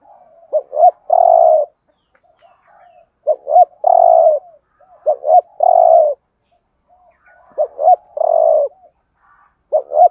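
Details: Spotted dove decoy cooing, thúc gù type in the Thổ voice, played for trapping birds: four phrases of two or three clipped coos followed by a long sustained coo, spaced by pauses of over a second.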